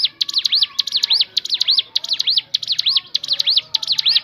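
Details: Ciblek gunung, the Crescent-chested babbler, singing a natural variation of its song: bright, high whistled loops that sweep down and up, grouped in rapid bursts and repeated without pause.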